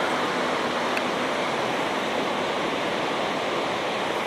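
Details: Continuous roar of waves or falling water, dense and unchanging, with no calls from any animal.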